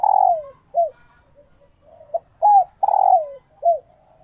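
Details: Captive female spotted dove in laying condition gives a call that stirs males to coo and court: about seven low, husky coos in four seconds, longer notes sliding downward, short ones between, in a quiet setting.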